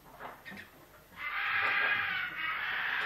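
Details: Common kestrel chick being fed at a rescue station, found on the ground after falling five storeys from a nest on a city-centre apartment roof, legs deformed by rickets; after soft rustling, a loud hoarse unbroken screech runs nearly two seconds.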